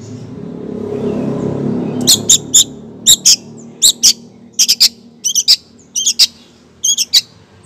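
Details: Calling female long-tailed shrike, aimed at a male: short, clipped, rasping high ticks in pairs and small bursts, about ten groups in rapid, uneven succession, after a low rumbling background at the start.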